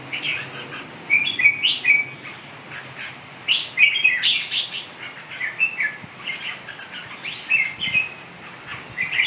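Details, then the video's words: Singing red-whiskered bulbul: repeated cheerful whistled phrases with quick warbling notes and a few sharp high accents, delivered in clusters across the clip, steady hiss behind. "Kênh về chim Chào mào"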